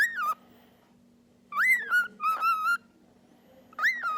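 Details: Pet cockatiel known for talking and singing, whistling rising then wavering notes in short phrases with gaps of silence, over a constant low electrical hum.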